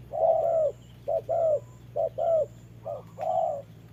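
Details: Decoy spotted dove in a trap set, confronting a wild dove in rain: four phrases of a clipped coo followed by a longer, slightly arched hooting note, spaced evenly, with faint background hum.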